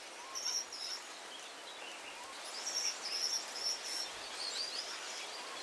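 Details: High, thin whistled notes from a Gouldian finch, repeated in a loose run around the middle, mixed with faint scratchy chirps and a steady hissing background.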